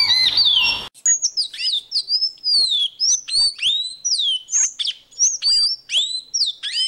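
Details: Caboclinho seedeater song: a brief noisy burst, then a quick series of clear, high whistled notes, many sharply down-slurred or rising, delivered in short separate phrases.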